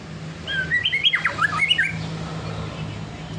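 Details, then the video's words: White-rumped shama singing in the ngelowo style: a quick run of clear, varied whistled notes, some rising and some sliding down, packed into about a second and a half over a steady low mechanical hum. "Burung murai bunyi ngelowo"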